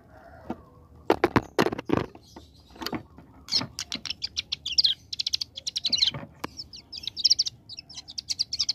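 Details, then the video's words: Bar-winged prinia, young and actively singing in 'ngebren' style: sharp clicks and knocks first, then a long series of quick high buzzy trills and stuttering notes. "Ciblek Gunung Paud Gacor Ngebren Ak47"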